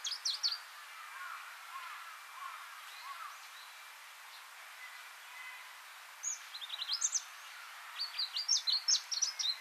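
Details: Pallas's leaf warbler (Phylloscopus proregulus), a scarce passage migrant on Hegura Island, Japan, calls: a short burst of thin, high notes, then a quick run of sharp, rising chirps, against soft background hiss.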